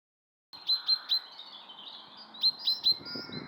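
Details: Male chaffinch in a park giving short, sharp, high chirps in two bursts of three, a brief pause between bursts, over faint background rumble and hiss.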